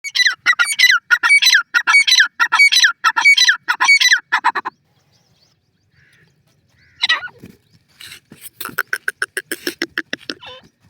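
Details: Francolin calling in a rapid series of harsh, squawky notes with bright overtones, about six phrases in under five seconds, then a pause, a single sharp note and a dense burst of chattering, scratchy pulses.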